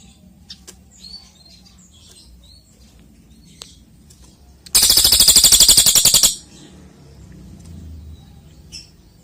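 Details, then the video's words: Golden-bellied gerygone, known locally as cililin, in lively song used to tutor magpie-robins and shamas. Faint high chirps, then one loud, rapid, buzzy trill of about a second and a half. "Masteran burung cililin cocok untuk Kacer,murai batu"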